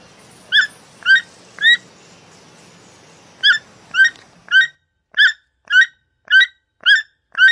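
A toucan gives short, harsh croaking notes with a strong ringing pitch, repeated roughly every half second in a steady series, with faint background hiss early on.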